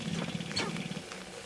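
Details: Sharp-tailed grouse at their mating dance in the early morning of May 5, 2019, just as rain began, give low, hollow cooing and rough clucking notes over about a second and a half, with a brief higher burst midway.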